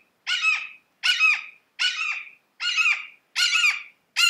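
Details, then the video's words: Red-shouldered Hawk, a vocal forest raptor, calling kee-aah over and over: six loud, hoarse screaming notes at a steady pace of roughly one every 0.8 seconds, each slurring downward, with no other sounds. "My name is Scott from Bird Watching HQ and today you are going to learn how to identify the calls and sounds of a Red-shouldered Hawk."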